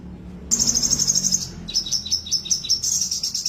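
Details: A caged crested jay without its tail keeps singing: a fast high trill of about a second, then a looser series of sharp, high chirps that speed back into a rattling trill.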